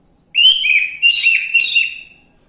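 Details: Orange-headed thrush song used as a lure to prompt a silent bird to sing: one loud whistled phrase of about two seconds, warbling with rising and falling slurred notes, clear and rich, on a quiet background.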